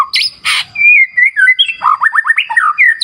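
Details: White-rumped shama singing in a wild-river therapy track: two harsh, buzzy bursts open, followed by flowing whistles and a rapid series of short slurred notes.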